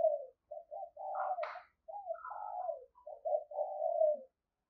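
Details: Spotted dove used as a decoy, cooing quietly: a string of short, low, mellow coo notes and drawn-out purring phrases with brief pauses between groups.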